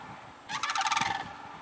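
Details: Sandhill cranes flying overhead give a loud, rolling, rattled call lasting under a second, with a trumpeting ring and heavy echo, over a faint background hum.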